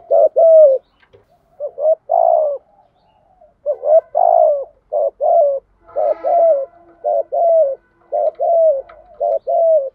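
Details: Spotted dove in thổ pha đồng voice, a lure cooing for training decoy birds: a looser run of low soft coos, some with a brief clipped note before them, coming at uneven intervals.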